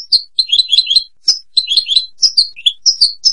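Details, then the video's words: European goldfinch giving quick bursts of bright, liquid twittering notes in short clustered phrases, repeated several times with brief gaps between them. "Jilguero canto del cardellino"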